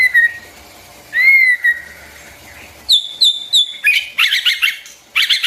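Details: White-rumped shama singing, used for training young birds' voices: clear whistled notes near two kilohertz, then rapid high repeated phrases and buzzy bursts, varied and loud.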